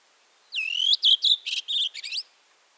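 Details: Song of a redwing: one long descending whistle that levels out, then several short repeated notes breaking into a fast, rattling twitter that ends on a rising chirp, with little else audible.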